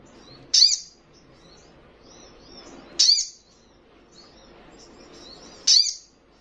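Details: Young little spiderhunter singing eagerly, giving three loud, sharp, very high chirps spaced about two and a half seconds apart, with faint softer twitters and quiet background between them.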